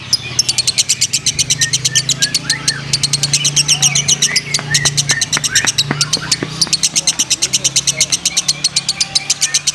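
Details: Konslet-class competition lovebird from Purwakarta giving a sustained fast train of sharp high ticking notes with brief chirps, a low steady hum underneath.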